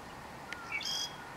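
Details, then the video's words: A single phrase from a southern grey shrike, recorded in northern Lanzarote in October 2018: a short click, then a thin upward note sliding into a brief scratchy, buzzy burst. "(Southern Grey) Shrike song"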